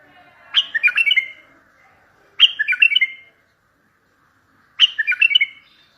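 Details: Bulbul song used to make other bulbuls answer, for trapping: three short, identical fluty phrases of quick descending whistled notes, repeated about every two seconds.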